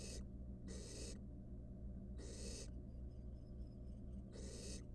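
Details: Wild barn owl nestling inside a monitored nest box, filmed by a nest camera while swallowing a rat: three long breathy hissing bursts, each about half a second, spaced unevenly over a steady low hum.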